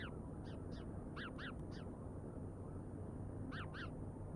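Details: Decorah bald eagles on a live nest cam, 31 August 2022 at 16:07: a run of sharp, high, stacked piping notes given in quick pairs and triplets, then a pause and another pair, over constant low-pitched background rumble.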